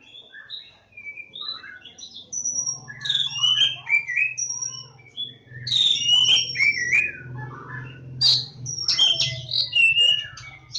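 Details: Javan Oriental magpie-robin, or Kacer Jawa, singing: soft whistled notes at first, then louder clusters of ringing whistles and scratchy chatter, over a steady low buzz.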